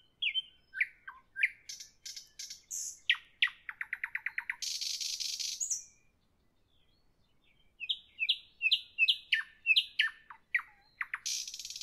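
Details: Nightingale singing in the evening: varied phrases of slurred whistles, a fast series of repeated clicking notes, a harsh buzzy burst, a short pause, then quick rising whistled notes repeated in a lively run.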